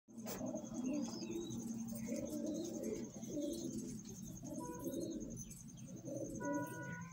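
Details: Pigeons described as fine birds, cooing indoors: overlapping low, rolling coos that pulse continuously, with a steady high electrical whine and a few faint chirps behind.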